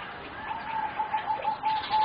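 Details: Young zebra doves, four birds about 3.5 to 4 months old, bred as singing doves for competition: a rapid, even trill of beaded coos on one pitch runs throughout, with faint chirping of other birds behind.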